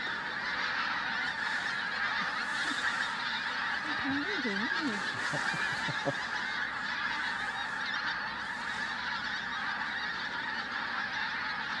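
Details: Flock of Pink-footed Geese passing overhead at Flitcham on 5 January 2017; continuous overlapping yelping honks from many birds, with a few words of human speech in the middle.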